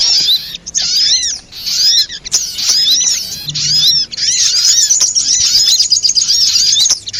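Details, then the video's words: Lure sound for trapping sogok ontong spiderhunters: shrill chirps and curved squeaks delivered in repeated bursts, becoming an almost continuous high twitter toward the end. "suara pikat burung sogok ontong"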